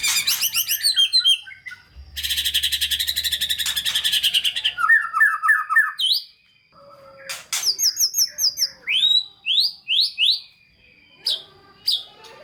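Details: White-rumped shama song meant to provoke lazy shamas into singing: fast buzzy rattling trills, a long harsh churring stretch, then sharp rising whistled notes repeated in quick bursts, over a faint low hum.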